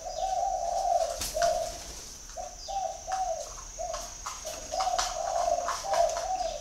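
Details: A spotted dove calls in soft, hollow coos: a long opening note, then a run of short paired coos and longer rolling ones, over a continuous high whine and occasional clicks.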